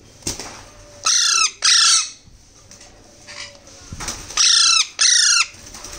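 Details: Alexandrine parakeet chicks begging while hand-fed: harsh, buzzy squawks, each about half a second long, in close pairs separated by pauses of a few seconds, with faint background hiss.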